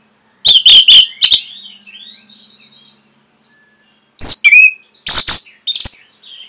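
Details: Orange-headed thrush training song for caged birds: a loud cluster of shrill whistled notes, soft trailing warbles and a quiet gap, then further loud piercing chirps and a downslurred whistle.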